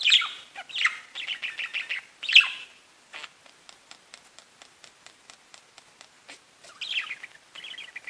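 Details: Pet budgies in a cage: loud warbled chirps in the opening seconds, then a long series of soft rapid clicks, and a few buzzy chirps return near the end.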